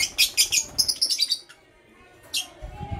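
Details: Blue opaline and parblue euwing opaline lovebirds in the morning: a rapid run of shrill, scratchy chirps lasting over a second, a short pause, then one more chirp burst followed by low thumping.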